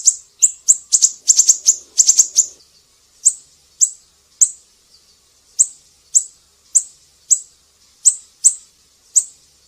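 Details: Siri-siri recorded as a song tutor for kicau birds such as cucak ijo: a dense opening flurry of high, bright chips, then evenly spaced single piercing notes roughly every half second.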